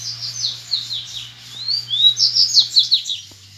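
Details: Wild double-collared seedeater, described as grego, singing in a song contest with rivals in nature. A fast, high run of thin whistled slurs and sharp chirps, some rising, some falling. Steady low hum beneath.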